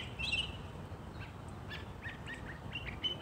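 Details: A Northern Mockingbird sings in spring in New Jersey from a neighbour's holly tree, giving a quick string of short, varied chirps and whistled notes over a steady low background rumble.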